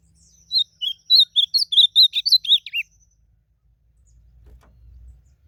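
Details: Blue-black grosbeak singing out in nature in a song contest: a brisk burst of around a dozen bright, slurred whistles lasting over two seconds, closing with a descending twist, then quiet with a distant low rumble.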